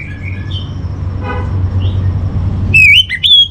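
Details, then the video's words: Orange-headed thrush master song for calming and conditioning kept birds: soft distant whistles give way to a sudden loud, rich whistled phrase with quick slurred turns, over a steady low background hum. "Menstabilkan Burung ANIS MERAH Dirumah Baik EMOSI & Birahi dengan Mendengarkan Kicauan Masteran ini"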